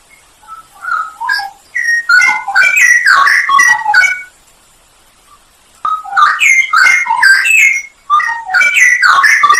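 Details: A straw-headed bulbul's masteran song for training songbirds, full of isian fill and nembak high notes: soft opening whistles swell into a loud, rich, gurgling warble, then a pause and another bubbling burst.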